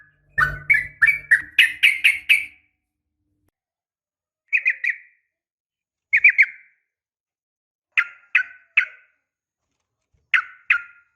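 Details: Calling female yellow-vented bulbul summoning a male, used to train caged birds: an opening run of sharp chirps, then short clusters of two or three bright notes spaced by silent gaps of a second or more.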